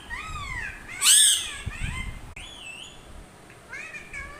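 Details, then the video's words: Curving, wavering whistles from a parrot, broken midway by a loud piercing screech, then more bending whistled notes. "parrots sounds"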